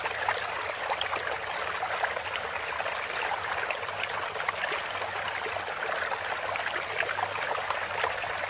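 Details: Steady flowing, trickling water with a faint low hum runs throughout, and no animal calls are audible.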